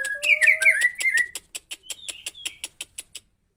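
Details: White-rumped shama with a 20 cm tail gives a brief burst of sliding whistles, then a run of sharp clicking ticks repeated about six times a second before falling silent.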